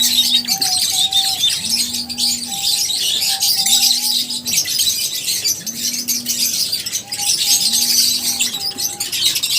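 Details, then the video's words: Lovebirds chirping together in a dense, continuous flock chatter of high, scratchy twitters, with a steady mechanical hum and a low tone pulsing about every two seconds underneath. "Love birds Singing sounds | Chirping Sounds | 30 mins lovebirds sounds | lovebirds meeting sounds"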